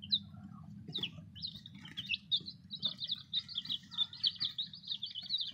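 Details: Several newly arrived baby chicks peeping in a chorus of short high chirps, many overlapping and some falling in pitch, repeated steadily over a low background rumble.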